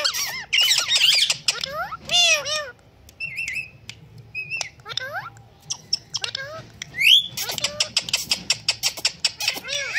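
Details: Talking pet Indian green ringneck, noted for whistling and cat-meow imitation; dense chattering squawks open, then short flat whistles and thin notes, ending in a rapid series of sharp clicking chirps.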